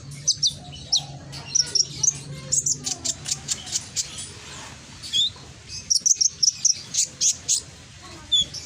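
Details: Konin, a lure recording meant to make a lazy konin answer, recorded in Gresik, East Java, with a loud, ringing voice: rapid bursts of high, sharp chirps and short whistled notes repeated throughout, with a low hum underneath.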